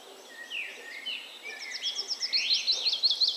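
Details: Willow warbler song: a run of sweet, high notes that grows louder and slides gently downward over about two seconds, preceded by softer, lower warbling from another bird.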